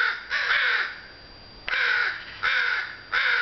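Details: Crows calling on a June afternoon in sunlight: a long drawn caw, a pause, then three shorter harsh caws.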